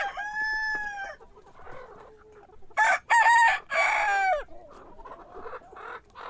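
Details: Rooster crowing in the morning, the end of one crow fading out, then a loud broken crow in choppy bursts around three to four seconds, with softer clucks in between.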